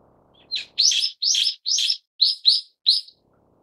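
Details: A Brown-eared Bulbul of subspecies Ixos amaurotis harterti gives a quick run of about seven harsh, buzzy notes, each a short burst, the last ones clipped and rising, with nothing else heard.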